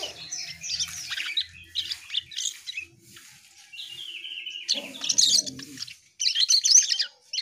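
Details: Asian pied starling singing: scratchy, rasping chatter phrases with a sustained whistled tone in the middle, brief pauses between bursts, and a low droning hum in places.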